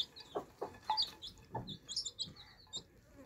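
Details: Thirsty baby chicks drinking fresh water; scattered high chirps and peeps above soft lower clucking notes, quieter and spaced unevenly.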